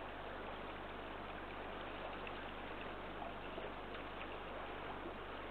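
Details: Steady patter of rain or running water at night, with a low hum and a few faint clicks but no calls.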